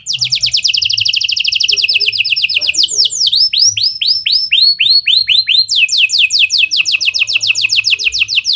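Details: Canary singing lovebird and prenjak style phrases, a lure for other canaries: dense rapid trill, then a series of looping descending chirps about three per second, then another fast sweeping trill.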